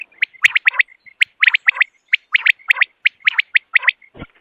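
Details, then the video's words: Quail calling in the morning for hunting: steady series of sharp, high, liquid notes in pairs and threes, spaced by soft short peeps, ending with a brief scratchy noise. "Morning Quail Call 2025 صوت السمان واضح للصيد Batair Ki Awaz"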